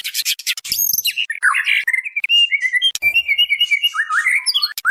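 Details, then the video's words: Female white-rumped shama calling for the male, as a lure: a harsh noisy start, then a flowing string of wavering and twisting whistled notes. "SUARA MURAI BATU BETINA MEMANGGIL JANTAN"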